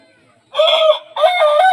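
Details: An Aseel rooster crow slowed down: two long, deep, harmonic crow segments, the second steady and sustained, with a brief dip between them.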